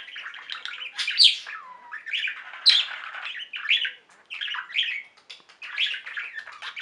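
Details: Caged budgerigar flock singing: dense warbling chatter of buzzy chirps and squawky notes, with bright rising whistles near the start and short pauses between bursts.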